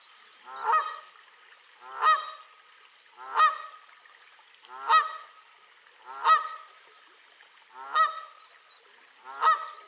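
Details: A Canada goose on 25 April 2020 gives loud, nasal honks, seven in all, one about every 1.4 seconds, each a brief harsh blare; nothing else is heard.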